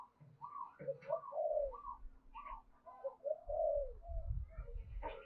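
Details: Decoy spotted dove giving a repeated cooing phrase to attract wild doves, low downslurred notes alternating with higher ones, accompanied by a low rumbling background.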